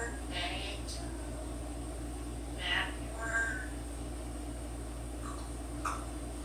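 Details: A 10-year-old African grey parrot that loves to talk, whistle and sing gives a few short, speech-like utterances and squawky whistled notes, scattered across several seconds over a steady indoor hum.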